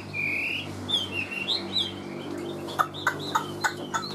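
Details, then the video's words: Chinese hwamei, a caged songbird kept by hobbyists, singing varied whistled phrases that rise and fall around mid-high pitch, then a run of short sharp repeated notes; background music, a low hum and a man's murmurs. "Ngũ trường bộ to, hót tốt, bóng bộ cực đẹp | Họat Họa Mi"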